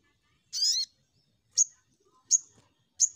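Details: Crimson sunbird lure sound for provoking untrained birds to sing. Opens with a brief wavering, buzzy high note, followed by three sharp, clipped high 'tsip' calls spaced under a second apart in near silence.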